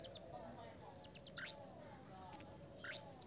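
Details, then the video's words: Blue-crowned hanging parrot calls used as a lure for trapping: very high, thin squeaky notes in short bursts with quick downward-sweeping chirps, separated by brief pauses. "SUARA SERINDIT PIKAT GACOR"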